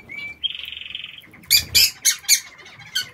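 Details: Lovebirds in an aviary: a brief high chirp, then a buzzy, rapidly pulsed trill for about a second, followed by four loud, sharp, shrill shrieks and a final chirp.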